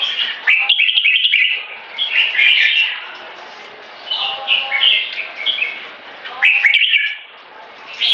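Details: Red-whiskered bulbul song in the one-stroke style, leading into keke: mellow whistled and gurgling phrases rise and fall in rapid bursts separated by short pauses.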